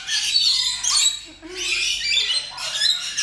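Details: Rainbow lorikeet (Trichoglossus moluccanus) giving harsh, high screeching squawks in three rough bursts, each about a second long with short gaps, noisy and grating.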